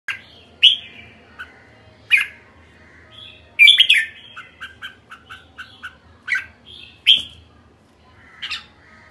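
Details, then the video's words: Red-whiskered bulbul giving a series of short, loud chirping calls with sharp rising-falling notes, interspersed with quieter clipped notes, spaced irregularly over about nine seconds in a quiet indoor setting. "Merbah jambul kekek"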